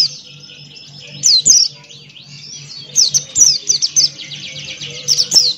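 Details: Male Buxton's white-eye in full song with open bill, a rapid chattering run of high, sharp down-slurred notes and thin whistles, delivered in dense bursts with brief pauses; steady low hum underneath.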